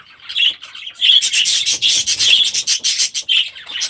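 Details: Young budgerigars in their new aviary produce loud, dense buzzy chatter, rasping warbles pulsing quickly and almost without pause.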